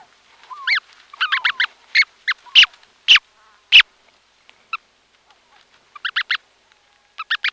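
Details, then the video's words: Close-up of Brant goose goslings calling from inside their eggs: thin, high, slightly downslurred peeps, some single and some in quick bursts of three or four, with short pauses between. "CU Calls From Goslings Calling From Inside Eggs"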